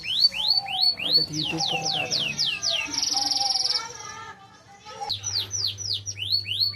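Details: Melodious canary song with upswept and downslurred whistled notes in quick series, a brief buzzy rattling phrase in the middle, then more sweeping notes after a short pause; people talk quietly in the background, with a steady low hum.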